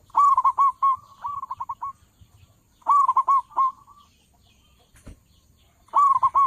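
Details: A local zebra dove with a big voice, meant as a trapping lure, repeats loud bursts of quick hooked coos about every three seconds, with softer stuttering runs between and a single sharp knock.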